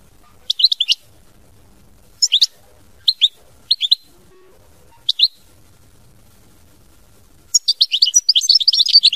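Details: European goldfinch, mama binette song style, giving short scattered chirps spaced a second or so apart before breaking into a long fast stream of twittering, tinkling notes.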